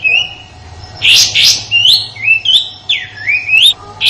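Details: Sooty-headed bulbul song in the rough 'tembakan kasar' shot style, a tutor song for white-rumped shamas in Indonesia. After a quiet start, two loud sharp chirps lead into a string of bright, rising and swooping whistled phrases over a faint hum.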